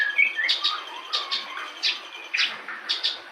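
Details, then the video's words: Soft, varied song of a local branjangan bush lark: sharp high chips and brief scratchy bursts at uneven intervals, with low whistled notes in between and a constant faint hiss. "Branjangan lokal full materi"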